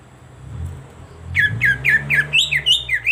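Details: Cucak ijo (greater green leafbird) stimulus song, used day and night to coax a silent bird into singing. Quiet hum at first, then a lively run of rapid downslurred whistles and loud chips, each note following closely on the last.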